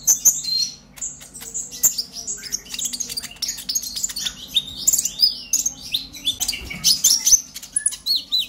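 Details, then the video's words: Excited song of a purple-throated sunbird, played to stimulate other sunbirds to sing: rapid bursts of sharp, high-pitched tweets and squeaky slurred notes in clusters about every second, with a quieter lull midway. "Pancingan KONIN Bahan agar GACOR NGOBRA EMOSI - Purple Throated Sunbird"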